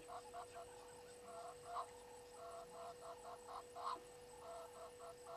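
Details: Natal spurfowl calling beside Gowrie dam on Djuma Game Reserve in South Africa's Sabi Sand Wildtuin, at 18:08. Rough, rasping notes come in stuttering bursts of several syllables with short gaps between them. A constant low electrical hum runs underneath.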